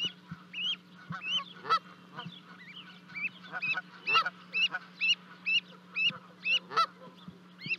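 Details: Canada goose family in Charlo, Montana, 12 May 2020, with two goslings jumping from a 30-foot nest to join their parents; a livecam records rhythmic rising peeps about twice a second, interrupted by a few louder honks, over a faint hum.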